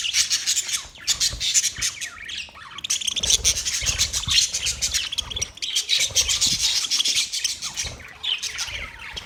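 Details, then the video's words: Parrot chirping: a dense, continuous stream of high, bright chirps and harsh squawky notes runs almost unbroken for the full stretch, with brief dips near one and five seconds. "Parrot chirping sound Parrot sound"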